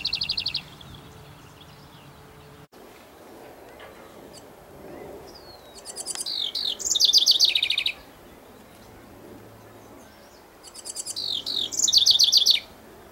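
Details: Singing house wren perched on a branch, directing song at its mate: the end of one phrase, then two separate bursts of tumbling, gurgling high notes, each about two seconds long, with quiet gaps between.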